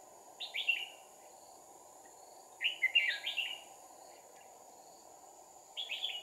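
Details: Red-whiskered bulbul fighting song during trapping with two decoy birds, 2 April 2019: three lively, liquid warbled bursts spaced a couple of seconds apart against a continuous background of insect noise.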